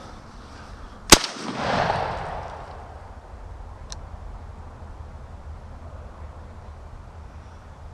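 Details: A single sharp bang followed by a brief rushing swell and a later faint click over steady low background noise, with no animal calls.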